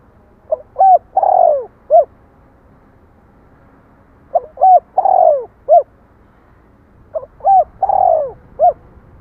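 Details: A spotted dove repeats its cooing phrase three times, about every three seconds. Each phrase has short hoots, a long falling coo and a crisp ending note.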